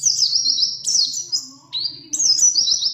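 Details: Pleci, a white-eye, singing a long rolling training song: high, clear, fast warbled phrases, each stepping and sliding downward, joined into an unbroken stream with one brief dip midway.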